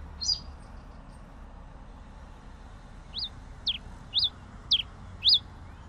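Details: Pileated finch song: short sharp upslurred-then-down notes given singly about every half second after a pause, high and thin, with steady low background rumble.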